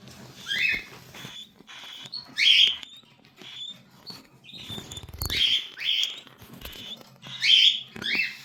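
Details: Cockatiel chicks make a run of rasping, upswept squawks and shorter chirps at irregular intervals, over low background rustling and a brief thump.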